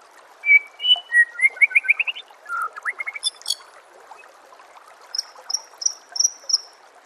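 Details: White-rumped shama song used to train songbirds: stepped whistled notes climbing in a quick series, a lower burst of chatter, then thin very high whistles repeated near the end.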